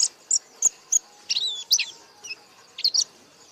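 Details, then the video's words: Scattered high, sharp chirps from a white-eye in 'gacor buka paruh' song, separated by short gaps, with a couple of drawn-out twittering phrases. "Burung Pleci Gacor Buka Paruh"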